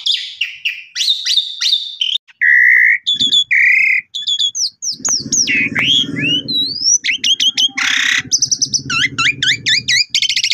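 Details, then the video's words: Pied myna song played as a lure for silent mynas: clear whistles, trills and swooping upslurred notes, with a low rumbling sound in the background during the second half. "Pancingan Jalak Suren Macet Bunyi"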